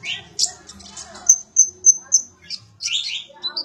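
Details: Sunbird, called konin or kolibri ninja, used as song for training magpie-robins: scratchy high twitters open, followed by four evenly spaced piercing notes, then a tumbling burst of squeaky descending chirps.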